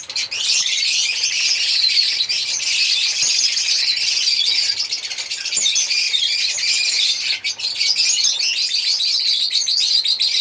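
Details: African lovebirds singing and chirping, a dense continuous mass of shrill high squeaks and chatter running unbroken through the whole stretch.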